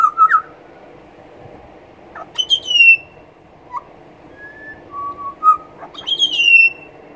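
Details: Two pied butcherbirds singing together on a veranda trade clear, flute-like whistled notes, some held steady and some sliding down, in short unhurried phrases over a low background hum.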